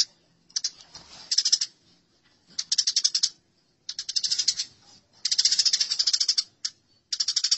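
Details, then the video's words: House sparrows fighting: irregular bouts of harsh, rapid chirping, some short and some over a second long, separated by brief silences. "Masteran Gereja Tarung || Gereja Tarung"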